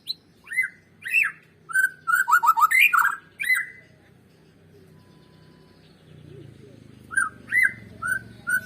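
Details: White-rumped shama lure song to make birds sing: spaced whistled notes leading into a quick run of falling trills, a pause with low background rumble, then more whistles.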